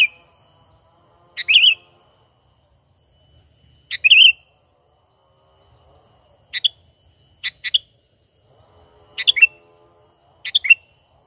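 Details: Sooty-headed bulbul natural calling for use as a trapping lure: short bright whistled phrases and clipped sharp notes, some in quick pairs, scattered irregularly across a quiet background.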